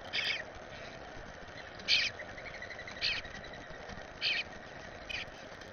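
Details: Eastern bluebird young from a first clutch, in a yard being fed by its parents: short, high, scratchy chirps repeated about once every second, with steady low background noise between them.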